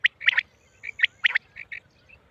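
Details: Hunting call of a female quail, Mianwali: a few crisp, high clipped notes, some paired, fading into softer single chips toward the end.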